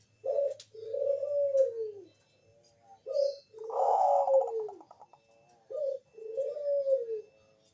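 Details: Perkutut bangkok (zebra dove) singing as a lure to prompt other doves to answer: three phrases, each a short cooing note followed by a longer, softly trembling coo that slides downward. Quiet background.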